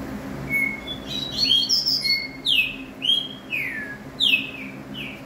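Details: Green-winged saltator song: clear whistled notes around the middle range, then a run of downslurred whistles repeated roughly every second, with a faint low hum behind.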